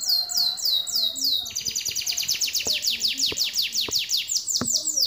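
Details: Caged canary song of loud downward-swept whistled notes, each falling sharply, repeated roughly twice a second over a high rolling trill, with occasional soft clicks.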